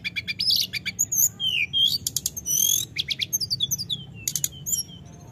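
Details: Snowy-browed flycatcher, known locally as tledekan gunung, delivering lively rolling 'gacor ngerol' phrases: stacked high chirps, bright rising whistles and dense buzzy trills, almost without pause.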